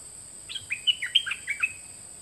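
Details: A 2020 recording of two birds, made so young birds can learn the song: a tumbling phrase of about eight sweet, whistled notes, alternately dipping and lifting in pitch, delivered in just over one second, against a faint steady hiss.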